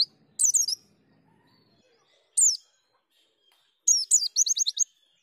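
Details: White-eye song in the ngalas, nembak and ngriwik styles: three short bursts of high, thin, twisting chirps separated by silence, the last ending in a quick run of repeated notes.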